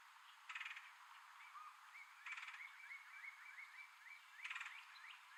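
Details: Male red-headed woodpecker, while hiding and eating food in tree holes, gives three harsh, rasping calls about two seconds apart over a steady background of short, rising chirps, likely frogs.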